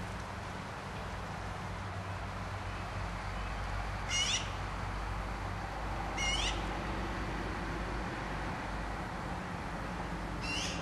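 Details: Black-billed magpies calling: three short, harsh, raspy bursts spaced several seconds apart, heard over a steady low rumbling background.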